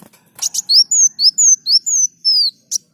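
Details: Kolibri daun sunbird in full song, used as tutor material for other cage birds. A quick pair of sharp chips is followed by a steady series of high, clear whistled slurs, some falling and some rising, about three per second, ending in one sharp chip.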